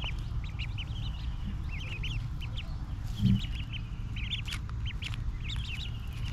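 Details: Ducklings pecking at tender green grass as they feed, giving a steady run of thin, high, rising peeps in quick bursts over a constant low rumble, with one louder soft thump midway.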